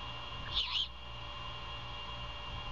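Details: Early morning, 21 February 2022, at a Savannah great horned owl nest set in an old Bald Eagle nest: one brief rasping hiss made of two quick pulses while the mother feeds the owlet, with a constant low hum behind.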